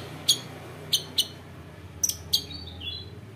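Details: A female long-tailed shrike, used as a lure call to stimulate other shrikes to sing, gives five sharp, high chirps at uneven intervals, then faint, thin whistled notes, over a low indoor hum.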